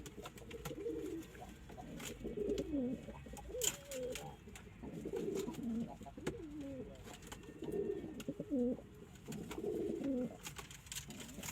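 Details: Domestic pigeons, a flock of local, Indian and Chinese breeds: repeated low rolling coos in bursts roughly every two seconds, with clicks and rustling.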